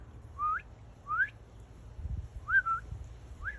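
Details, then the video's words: A Northern cardinal sings four clear, slurred whistles, each rising sharply at the end, spaced about a second apart, over a low background rumble. "cardinal singing"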